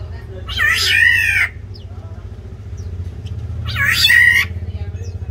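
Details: Territorial fight between black-naped orioles in an aviary. Two strident, nasal, wavering screeches about three seconds apart, above a pulsing low mechanical hum.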